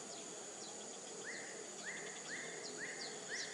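A white-breasted woodswallow gives short, upslurred chirping notes about twice a second, with fainter high twitters over a steady hiss of insects or wind.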